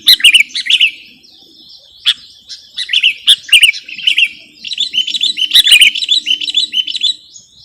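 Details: Sooty-headed bulbul in a recording used to lure or tutor birds: irregular bubbly warbling with scattered sharp notes, building to a denser fast-chirping run near the end, over a faint low buzz.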